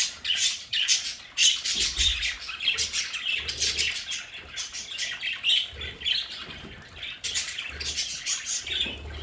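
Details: Budgerigars kept at home in their play area chatter and squawk almost without pause, with fast scratchy notes and some soft low thumps beneath.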